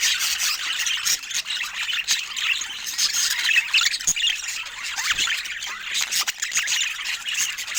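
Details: Pet budgerigars making a constant chattering chorus: many overlapping high-pitched squeaks, rasping chirps and warbled notes that blend into a busy, unbroken twitter, with occasional louder sharp calls rising above the group.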